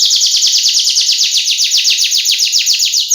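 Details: Energetic canary in full gacor song, meant as a lure and tutor recording for males: a fast, even roll of buzzy down-slurred notes repeated steadily, gradually sliding lower in pitch across the phrase.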